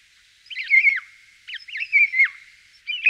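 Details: Common starling repeating a warbled phrase of squeaky whistles ending in a downward slur, roughly once every second, with a soft steady hum underneath.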